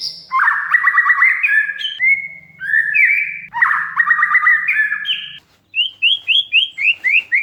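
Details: Oriental magpie-robin (kacer) sharp cerecetan chatter used as a lure: harsh rattling bursts mixed with whistles, then a quick run of six short rising whistled notes about three per second.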